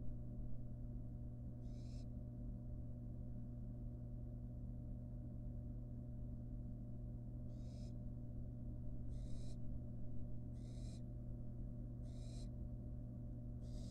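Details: Wild barn owl fledgling in a nest box, with a long rat tail hanging from its beak, gives one rasping hiss and then a run of five more, each about half a second long, over constant low humming.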